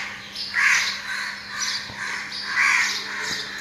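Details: Crows calling on a cold, foggy early morning, heard from a balcony in Dhaka. Harsh, hoarse caws come loud and clear, about four over a few seconds, with steady low background hum.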